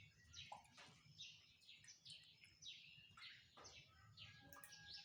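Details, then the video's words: Birds singing in the morning: quiet, rapid descending chirps and sweeps repeated about twice a second, several overlapping, over a faint low rumble. "Birds are singing in Morning."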